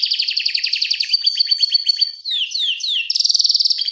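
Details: Canary in full song for training other canaries. Rapid buzzy pulses are followed by a level whistle, then several swooping downward slides, and a brisk loud trill to finish.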